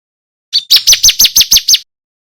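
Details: Male bar-winged prinia singing loudly and clearly, offered as a tutor song for competition songbirds: a short opening note, then seven sharp, high, downslurred chirps in quick, even succession over about a second, with a clean, quiet background.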